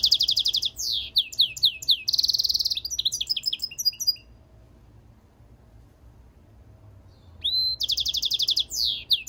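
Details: A jilguero mixto, a European goldfinch × canary mule, sings in bursts: fast repeated high pulses, swooping notes and a buzzy rattle, a pause of about three seconds, then the rapid trilling resumes.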